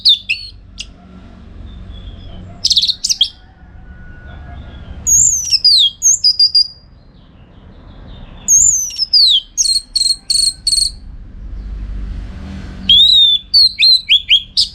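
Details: Orange-headed thrush, a caged bird singing as a training model for song contests, from northern Bali: bursts of high sharp chirps and slurred whistles, with quiet gaps between phrases and a low room hum.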